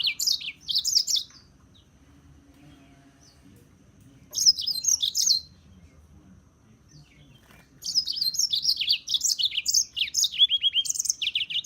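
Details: Serin singing in three spaced bursts, the last one longest: a jingling stream of high, scratchy, quickly alternating notes with downward slurs, quiet gaps in between.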